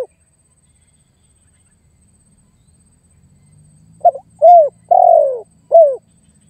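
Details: After a long quiet stretch with faint low rumbling, a spotted dove gives its rival-challenging lure call: a quick stuttered note then three mellow downward-sliding coos, the middle one drawn out.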